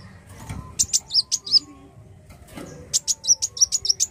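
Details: Black sunbird (kolibri wulung) singing: bursts of very high, sharp chirped notes in quick runs, with a pause between the two runs and faint low background noise.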